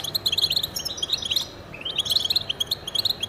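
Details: Male European goldfinch song, used for territory and attracting mates: rapid bright chirping, a short pause near one and a half seconds, then a rising slurred note leading into more twittering.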